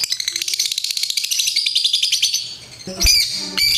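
A lovebird chatters in a fast, high, rattling stream of chirps, about a dozen a second, then breaks off into a few louder, harsher squawks.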